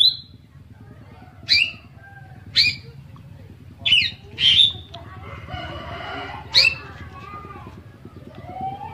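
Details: Gacor full-variation song of an Oriental magpie-robin, meant to prompt other magpie-robins to sing along: piercing high whistled notes spaced a second or so apart, with a brief hissy rasp midway and a continuous low rumble behind.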